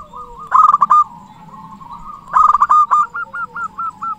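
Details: Lure song of a local zebra dove, loud and persistent: two bursts of rapid choppy cooing notes, each trailing into evenly spaced short coos, while softer coos from another dove carry on between them.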